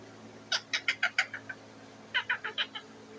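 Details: Pet parrot sitting on its cage, calling to be fed with two series of clipped, raspy squawks, the first fading over seven notes, the second of five.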